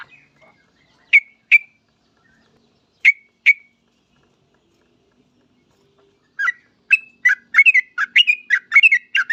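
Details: Yellow-vented bulbul (trucuk) singing in full voice, a recording meant to prompt other bulbuls to sing quickly. A few isolated whistled pairs come first, then a rapid run of bubbly, chirpy notes after a quiet gap.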